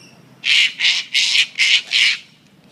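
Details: Sulphur-crested cockatoos with wing tags play with a coffee cup in Sydney's Royal Botanical Gardens, giving five harsh, grating screeches in a steady run over about two seconds, then quiet.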